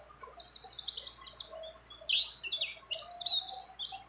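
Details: Mountain white-eye female in breeding condition calling for a male, mixed with other birds' phrases: rapid high trills at the start, then warbled, buzzy twittering phrases with a faint lower tone beneath.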